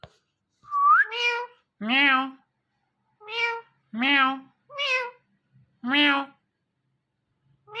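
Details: Ringneck parrot talking, in a compilation of talking ringnecks: a string of harmonic, nasal syllables that sound like repeated "meow", each about half a second long, with one bright rising whistle near the start.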